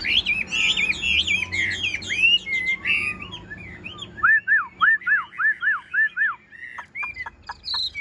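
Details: Newly acquired caged Chinese hwamei singing on a rainy morning: a rapid jumble of varied whistles, then a run of about eight loud, clear downslurred notes at an even pace, followed by sharp, falling strokes.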